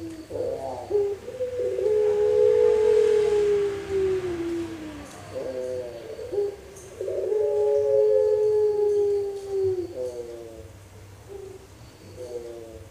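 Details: Young Pelung dove, four months old, from Pakisaji, Malang, still practising but giving a complete song with front, middle and end parts. It makes deep, drawn-out cooing notes that slide slowly downward, in two long phrases with a faint hum behind.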